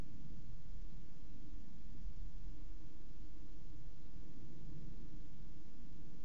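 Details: Only a steady low hum and faint hiss fill an indoor space, with no animal voice.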